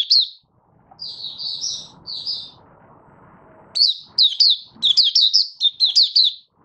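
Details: Caged Malaysian Oriental white-eye (mata puteh) singing its buka sing, recorded 1 August 2023 while not in form: bright high slurred whistles in short bursts, a pause, then a quicker run of rising-falling notes, with faint low background hum.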